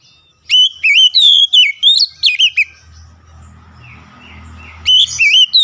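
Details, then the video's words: Oriental magpie-robin singing loudly in fast bursts of varied, warbling whistles and slurred notes. A low hum and faint distant whistles fill a short pause before another loud phrase. The song is meant to help a stressed bird recover and sing. "PEMULIHAN AMPUH KACER SETRES LANGSUNG GACOR"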